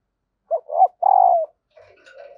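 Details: A hen spotted dove calls to prompt male cooing. There is a short note, a rising coo, then a long grating coo falling at the end. Faint, higher murmuring sounds trail off afterwards.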